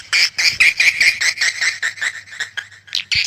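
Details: Swiftlet calling with short, buzzy chirps carrying a thin whistled tone, repeated about two or three times a second and slowing toward the end.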